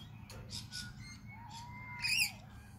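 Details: Cockatoos feeding on seed on a balcony give a few harsh, raspy squawks, the loudest and most grating near the end, over a thin steady whistle-like tone and low background hum.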